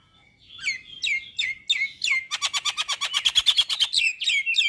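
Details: Singing male Javan myna with white eyes, said to prompt other mynas to join in: several rising slurred whistles, then a fast, even run of about twenty clipped chattering notes, ending in more whistled slurs.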